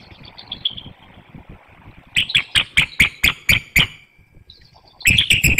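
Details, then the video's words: Bald eagle pair in a vocal exchange at the nest before dawn, 32° F with wind, Hanover, Pennsylvania, incubating female; series of high, sharp chirping notes repeated rapidly about every quarter second, then a second burst. "Vocalizing at the Nest"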